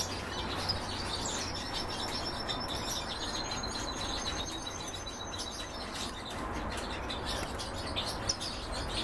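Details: Goldfinch–canary hybrid song with long, thin, high whistled notes drawn out over several seconds, mixed with scattered quick chirps and faint twittering over steady background noise.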